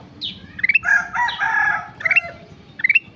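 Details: Kutilang emas singing with short rising note series at the start and end, separated by a longer, denser stretch of warbled, buzzy notes.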